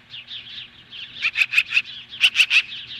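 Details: Osprey standing off magpies at the nest near Lolo, Montana, summer morning 2015: soft quick chirps building into a loud series of sharp whistled cheeps, four then three, evenly spaced.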